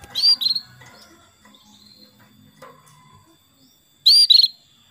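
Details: Caged female canary calling a male as a singing lure: one brief, high, trilled double burst at the start and another four seconds later. Faint low background noises fill the pause between them.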